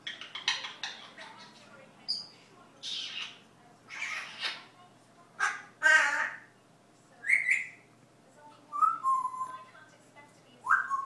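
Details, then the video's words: Indoor pet parrot that is learning Dutch speech and also barks and whistles. It makes harsh, noisy squawks roughly every second or two, then shifts to short rising whistled notes near the end. "Parrot Learning to talk dutch. Goodmoring, kisses, where were you, barking and whisteling"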